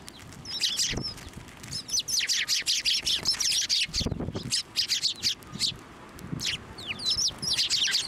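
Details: Sparrows at Tenmangu shrine, 18 March 2024, crowding onto a hand to be fed. Clear, sharp chirps with quick upward-and-downward twists repeat in lively runs, along with fluttering wings and a few low thuds.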